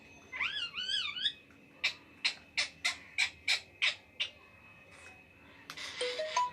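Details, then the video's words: A rose-ringed (ring-necked) parakeet gives a wavering, warbled phrase, then about eight harsh, sharp squawks roughly every half second, ending in scratchy chatter and a few clear whistled notes. "Ringneck Parrot Crazy Talking"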